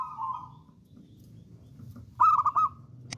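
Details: Local wild-type zebra dove, described as bold and a frequent singer, used as a lure and training song: a soft low coo fades out, then after a pause a loud stuttering, trilled coo phrase bursts in.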